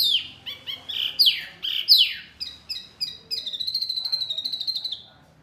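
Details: Mini wambi bird, noisy and provoking other birds: several loud, sharply falling chirps spaced about half a second apart, then a fast rattling run of high notes on one pitch.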